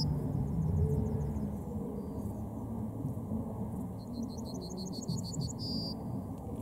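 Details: Yellowhammer song heard twice: first faint and distant, then closer and clearer, a fast chain of high clipped notes ending in a long sustained tone; heavy low rumble in the background.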